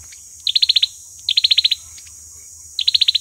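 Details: Fighting song of an olive-backed sunbird, played as a decoy for trapping: three fast trills of six or seven piercing high notes, with short gaps between them and a steady background hiss.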